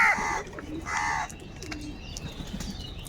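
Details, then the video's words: Two quick, harsh caws in close succession from crows fighting for food, followed by quieter bird chirps. "Kaka sound and noises of Crow birds | All types of Crow sounds | Very loud voice of Crow sound"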